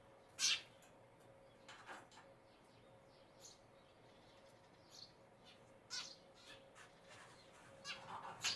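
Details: A Eurasian tree sparrow gives a few short, harsh chirps spaced several seconds apart, with a faint steady hum behind.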